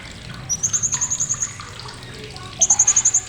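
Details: Blue-crowned hanging parrot chattering sharply as tutor material for songbirds: two clean series of high, evenly spaced piping notes, about ten quick pulses in the first and eight in the second, with little else heard.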